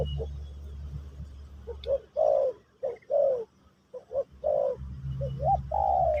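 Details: Pesom or Kacuk song of a spotted dove, used to teach a new bird: after a quiet start, short clipped coos alternate with fuller falling coos, ending in a long steady note, with a low background hum.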